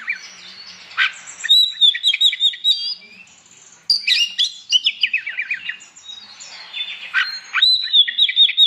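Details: Morning song of an Oriental magpie-robin in full ngeplong style, delivered to stir rival magpie-robins into answering; high whistles, quick chirping runs and sharp upslurred notes follow one another with brief gaps.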